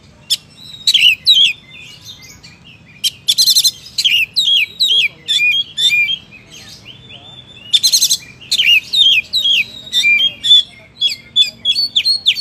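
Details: Oriental magpie-robin (kacer) in gacor full song, delivering rapid bursts of varied high whistles, chirps and buzzy trills in short phrases separated by brief pauses, with sharp, harsh accents in some phrases.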